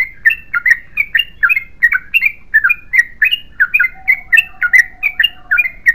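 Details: Yellow-vented bulbul in a long continuous chattering song: quick bright chirped notes, each bending down, delivered in a steady stream about five per second, with a faint thin steady tone running beneath in the second half.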